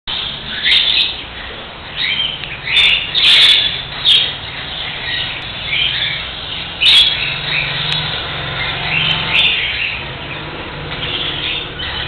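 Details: A cockatiel being tamed gives a string of shrill, chirping calls, some harsh and some rising.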